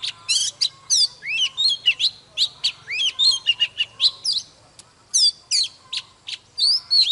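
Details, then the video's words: White-rumped shama, wild forest male in full song, delivers rapid varied phrases of sweet whistles, upslurs and sharp chips, packed closely with brief gaps, clear and loud. "Chòe than Già rừng hót múa CỰC ĐỈNH || Chòe than Căng Lửa || Kích chòe than HÓT SÁNG"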